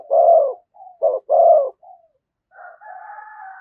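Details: A spotted dove gives 'thúc gù' cooing near a decoy: strong low held coos with a quick double coo between them. A higher, drawn-out call from another bird follows near the end.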